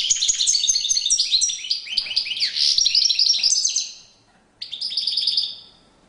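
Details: Courtship song of a European goldfinch, a fast jumble of high tinkling twitters and buzzy trills lasting about four seconds, a short silence, then another twittering burst.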